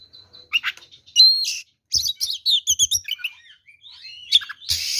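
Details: Singing oriental magpie-robin in fighting form, its song said to make other magpie-robins angry: a bright sustained whistle, then a quick string of chirps and twittering slurs, ending with a loud raspy burst.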